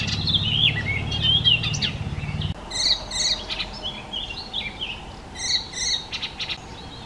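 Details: Icterine warbler, a mimic of other birds' voices, singing a fast, varied jumble of high whistles, chattering notes and sharp clicks in quick succession, with a low rumbling hum under the first two seconds.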